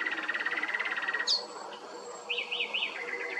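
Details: A common nightingale sings at Strázsahegy, Monor wine-cellar village, Hungary: a rapid, throbbing run of repeated notes, then a sharp high whistle and three quick rising-and-falling slurred phrases.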